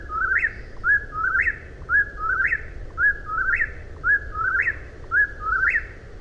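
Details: Repeated rhythmic whistles of an eastern whip-poor-will, each phrase with a brief lead-in and an emphatic rising final note, about one per second, against steady low-pitched background noise.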